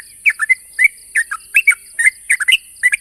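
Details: Sooty-headed bulbul calling to challenge a rival: bursts of short, bright chirping notes in quick pairs and triplets, jumping between lower and higher pitches, repeated steadily with brief gaps, over a constant high hiss.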